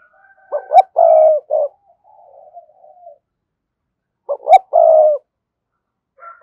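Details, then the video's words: Rapid cooing of a spotted dove calling to rival wild doves: two loud phrases of short rising notes into a long hollow coo, separated by quiet trailing murmurs. "cu gáy thúc gù & gáy gọi bổi hay"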